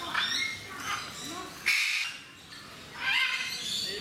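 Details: Noisy captive eclectus parrots at Mysore Zoo giving harsh, broadband squawks, with two loud bursts about a second and a half apart over a steady murmur of visitors' voices.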